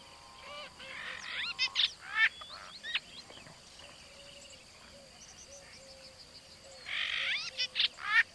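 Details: Brahminy starling in a village in India: bursts of harsh grating chatter and sharp squeaks open and close the recording, with a softer stretch of faint notes between them.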